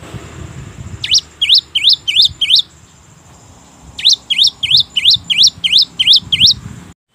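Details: Cinereous tit, a song used as a lure to prompt quiet tits to sing: two bursts of sharp, swooping whistled notes, about three a second, each dipping then rising, over a quiet background hum.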